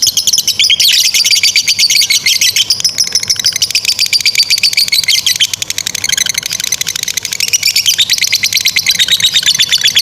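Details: Lovebird in a long ngekek chattering bout, a training model for young or stalled lovebirds; very rapid high notes, about four per second, that glide down, hold, dip briefly, then rise again.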